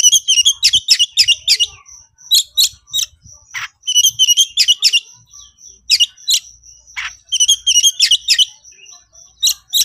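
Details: Excited Oriental magpie-robin of the 'konslet' type summoning a rival: dense bursts of sharp high chirps, about four per second, over a thin continuous high whistle, with one rasping note in each half.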